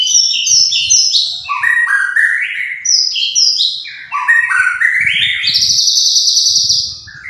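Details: Vigorous gacor singing of a white-rumped shama: cascades of clear whistles tumbling downward in steps, repeated twice, then a rising run into a long high sustained buzzy note.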